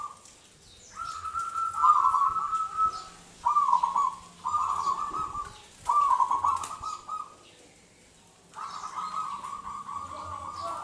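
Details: Local wild zebra dove from Indonesia in full song, used as a lure to draw out other doves: a run of rapid, burry trilled coos in steady phrases with brief gaps, then a long final phrase.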